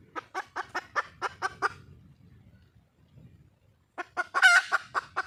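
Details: Wild red junglefowl hen calling for a male: a series of short, evenly spaced clucking notes, about seven in a second and a half, a pause, then another run of clucks with one louder, harsher note in the middle.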